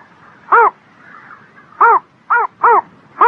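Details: On a spring morning, a bird gives five short, hoarse, down-curving calls at uneven intervals, two of them close together, over a quiet background hum.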